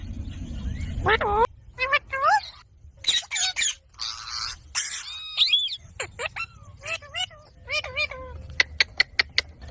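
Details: A green talking parrot, kept as a pet, gives a busy mix of swooping squawks, short chatter and raspy noisy notes, ending in a run of sharp clicks, with low rumbling background noise throughout.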